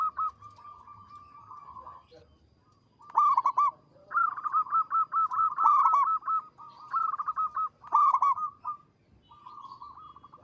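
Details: Persistent long, melodious song of a local zebra dove, with several phrases of quick rolling coo notes, each opened by a loud accented note, separated by brief pauses and softer trailing trills.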